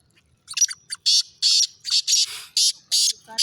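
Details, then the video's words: Black francolin calling: a run of harsh, grating, high-pitched notes given in quick succession, with short notes then longer rasping bursts, repeated over about three seconds against an otherwise quiet background. "Kala teeter awaz"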